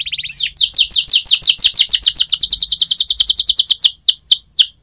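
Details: Training song from a canary: a long, fast trill of repeated downward sweeps, finishing with a few slower falling whistles.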